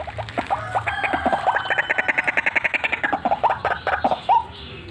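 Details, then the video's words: Vigorous cackling and rolling calls of a white-breasted waterhen. Brisk repeated harsh notes build into a steady chattering rhythm across the whole stretch, ending with a single louder squawk. "RUAK RUAK GACORAN FULL NGEKEK NGEROLLL"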